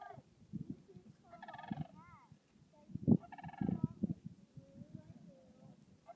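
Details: Sandhill cranes crooning at Swan Lake in Yellowstone, spring, April 2016: two bursts of rolling, trilled calls with rich overtones, over steady low rumbling wind or movement noise.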